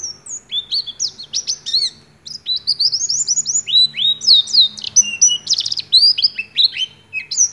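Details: Oriental white-eye in ngecrok style song with imitated white-rumped shama phrases: fast, high, sharp chirps and rising whistled slurs strung into dense bursts, briefly pausing, then resuming with rapid trills.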